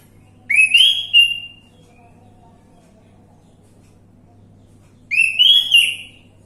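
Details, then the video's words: Orange-headed thrush song used as a lure to prompt a silent bird to sing: two loud, rich whistled phrases of rising and warbling notes, several seconds apart, over a low steady hum. "Pancingan Anis merah macet bunyi"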